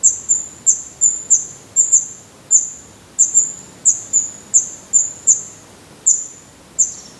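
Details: Nestling black redstarts in a nest in Portugal, growing their adult plumage with eyes now open, repeat piercing, very high, thin cheeps roughly twice a second, sometimes in quick pairs, without pause.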